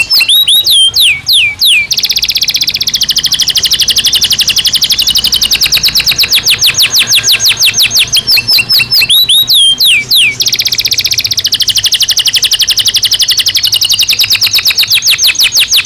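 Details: Belgian canary singing naturally, a recording meant for daily stimulation and for training canaries to sing louder and better: rapid tours of downward-sweeping notes at a steady pace, broken around the start and near nine seconds by rising slurred phrases.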